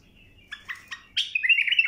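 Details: Bulbul tutoring song for young birds: three quick chirps lead into a loud, sweeping warbled phrase that wavers downward, clear above a quiet background.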